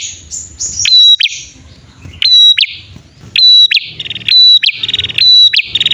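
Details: Bar-winged prinias, male and female, whose calls serve as a lure for trapping wild prinias: high sliding whistles, then five loud piercing notes each trailed by a buzzy trill, delivered roughly every second.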